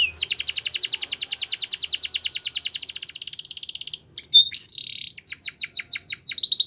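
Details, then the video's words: Canary delivering a long, even trill of rapid repeated notes for about three seconds, slowing and softening, then a burst of mixed chirps, a steady whistle and quick falling notes. "Canary Singing Most Beautiful Song Bird"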